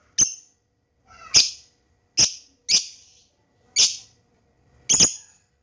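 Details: Lure recording of a juvenile lovebird learning to ngekek: six sharp, shrill high chirps spaced roughly a second apart, each a quick squeaky burst, in a quiet setting.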